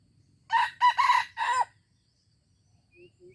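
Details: Junglefowl in Aceh, 25 April 2020, crowing once: four loud, harsh bursts in quick succession, a short opening note, two linked middle syllables and a longer drawn-out last one that sags at the end, then faint bird notes.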